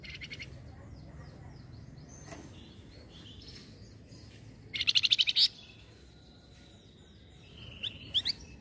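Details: Flamboyan bird responding to noise, per the description, delivers a dense buzzy trill of rapid pulses lasting under a second, followed later by short rising high notes and a couple of clipped chips against quiet hum.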